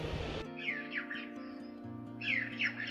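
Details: A red-billed chough call, an inserted reference recording for a dry morning at St Agnes Head on the Cornish coast where a chough was heard, gives two bursts of sharp, ringing notes over a steady music bed.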